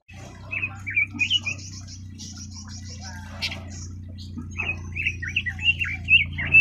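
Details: Leiothrix lutea, the red-billed leiothrix, gives short bursts of chirpy warbled notes near the start and a longer lively phrase near the end, against a steady low mechanical hum and faint high ticking.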